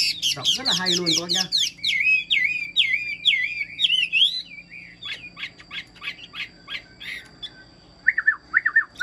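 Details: Caged Chinese hwamei singing in full form: a rough, buzzy opening, then a run of loud slurred whistles, scattered clicks, and short downward-sliding whistled notes near the end.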